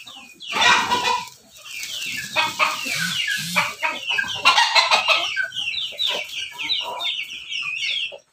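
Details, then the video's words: Farmed crossbred chickens of Pelung, Bangkok and Ketawa stock with red combs at Banguntapan, Yogyakarta; a crow rises among dense overlapping clucks and high chirps from many birds, with busy yard noise throughout. "ternak ayam Persilangan ayam pelung Bangkok ketawa berkokok"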